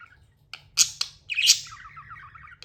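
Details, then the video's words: Budgerigar calling: a few sharp clicks, two loud buzzy screeches, then a long wavering, warbled trill that falls and flattens out. "Amazing budgie chirping sounds"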